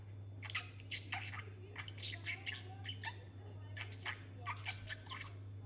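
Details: Talking budgerigar kept as a pet with a companion bird, producing a continuous run of raspy, speech-like chatter and clicks in quick bursts over a constant low hum.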